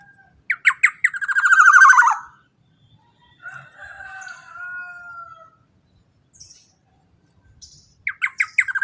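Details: Black-naped oriole song used as a lure for training other birds: loud bursts of repeated rich whistled notes sliding downward, a long even whistle in the middle, quieter gaps between phrases.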